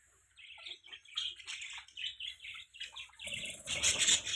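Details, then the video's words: Budgies chattering steadily, a continuous stream of twittering, warbled chirps that grows louder and denser toward the end with harsher squawky notes. "Beautiful Budgie Parrots Chirping Sounds"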